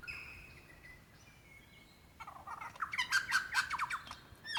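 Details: Male lyrebird calling for a female in Dandenong Ranges National Park, Victoria, Australia, February 2016: a faint steady whistle opens, then a loud burst of rapid, repeated ringing notes builds after two seconds.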